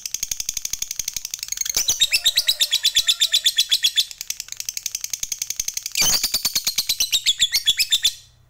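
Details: Lovebird fighter song used to provoke other lovebirds into singing: a long, fast run of sharp high chattering notes, about four per second, continuing unbroken for eight seconds with brief harsher bursts.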